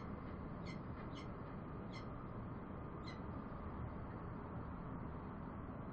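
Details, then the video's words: Bellbird sounding four clear, chiming notes in the first half, then stopping, with a continuous heavy low rumble underneath the whole time. "Bell bird sounds"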